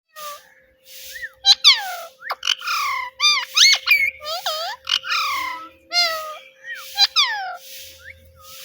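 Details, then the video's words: Pet parrot talking, repeating the word "Mitthu" in a sweet voice; a quick series of bright, harmonic, bending syllables, some sliding up and some sliding down, packed closely over several seconds, with a faint steady hum underneath. "Parrot Talking “Mitthu Mitthu”"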